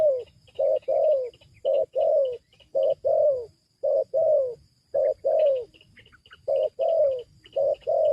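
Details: Spotted dove lure call for bringing wild doves down: brisk run of two-part coos, short then long and falling, with one brief pause midway, backed by high, soft bird chirps.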